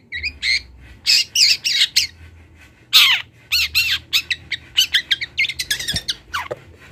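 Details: Young long-tailed shrike from Kendal rehearsing its song for a master recording: loud rasping squawks and chattering clusters, some notes sliding up or down, delivered in fast uneven runs.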